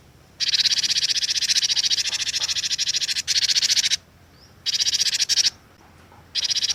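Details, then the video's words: Lively cinereous tit (glatik watu) used as a lure singer, delivering long harsh buzzy rattles in bursts of one to three seconds separated by brief pauses, over a quiet background. "KICAUAN GLATIK WATU PIKAT GACOR"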